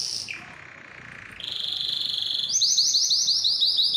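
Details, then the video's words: Singing canary, recorded to prompt birds to sing and breed: a short high burst drops into a faint rolling tour, rises again, then breaks into a bright, fast, loud trill of repeated bubbling notes. "علاج صمت الكناري: أسمعه هذا المقطع وسيبدأ بالتغريد فوراً | Make Your Canary Sing"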